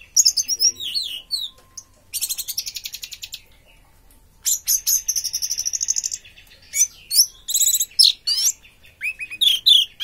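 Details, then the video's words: Orange-headed thrush, good body, in teler song: tumbling descending whistles, then long rapid rattling trills, followed by a mix of sharp high notes and sliding whistles. "Anis merah tak sesuai harapan, bodi bagus tapi teler ngaceng"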